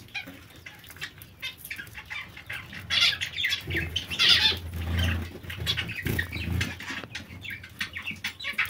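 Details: Zebra finches, kept as pets, giving short nasal honking calls with harmonic stacks, repeated irregularly over a low rumbling background and a few wing flutters.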